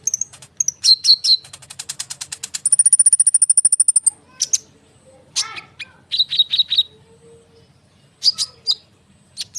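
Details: Konin bird singing eagerly in a tight rolling song, used to provoke sunbirds to reply. Rapid high chirps lead into a fast, even trill of ringing notes, followed by scattered sharp whistles and brief buzzy phrases.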